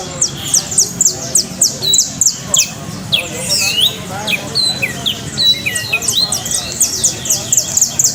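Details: Song of a coastal canary: fast rhythmic trills of sharp descending notes, interspersed with looping whistled phrases, over faint background rumble.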